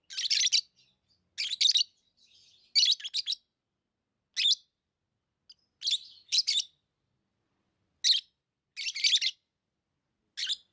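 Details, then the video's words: Lovebirds chirping, short bright bursts of shrill chatter repeated in clusters roughly every second or two, separated by silence. "lovebirds chirping sounds"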